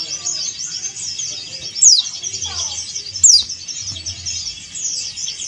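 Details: Male Oriental white-eye of the Dakun Bali yellow-breasted kind calling a rival, two high falling squeaks about one and a half seconds apart, a brief descending trill after the first, all over steady shrill chatter of many small birds.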